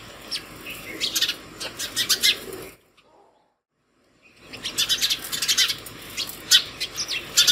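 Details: Morning house sparrows at a hanging bottle feeder, calling others to food: dense, rapid bright chirping, broken by a sudden silent gap of about a second and a half, then resuming just as busily.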